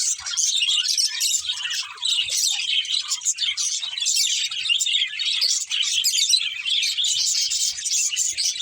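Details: Steady flock chatter from budgerigars, a warbling stream of high chirps and twitters with short, clicky notes throughout.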